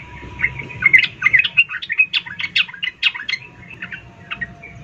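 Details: A female sooty-headed bulbul calls the male with a hurried series of chirps and sharp clipped notes, dense at first and then thinning out.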